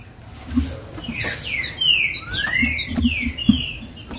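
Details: Song of the green-winged saltator, played to stimulate captive birds: bright, sliding whistles, several falling and one long rising, with soft background knocks.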